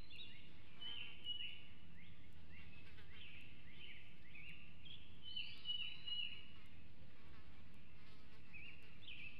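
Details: Bald eaglet in the Hanover nest, 2021, aggressive around food just before fledging: thin, high, slurred chirps and squealing notes spread irregularly across the clip, moderately quiet over a low steady rumble.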